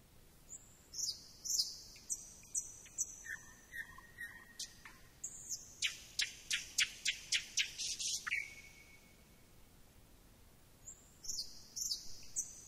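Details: Thrush nightingale singing at some distance: high whistled notes alternate with sharp clicking notes, building into a fast series of dry percussive strokes that ends in a falling whistle. A short pause follows before more high whistles, over a soft background hiss.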